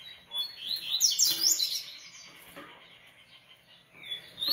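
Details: Caged coleiro, the Double-collared Seedeater, from a Brazilian breeder, producing a dense tangle of high, rapid, zigzagging whistles for about a second, then fainter notes and a rising whistle at the end.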